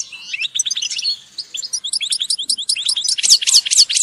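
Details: Goldfinch group calls, European goldfinch: a rapid string of short tinkling chirps at varied pitches, growing louder, ending with sharp high downward-slurred notes repeated a few times.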